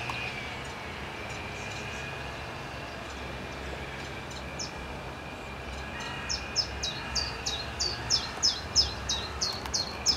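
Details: A common chiffchaff sings between bouts of preening in a black locust beside a pond at the Fûgelhelling. After a quiet start, a long run of high, clipped, falling chiff-chaff notes, about three per second, grows louder over a low, steady hum.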